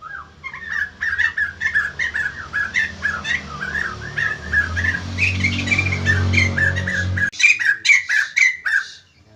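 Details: White-crested laughingthrush singing energetically as other birds respond: rapid chattering whistles over a low droning hum that stops abruptly, followed by loud clear squawky phrases.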